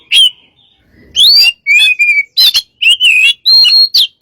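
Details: White-rumped shama singing as a lure: loud varied whistles, sliding notes and short trills, delivered in rapid phrases after a quiet start.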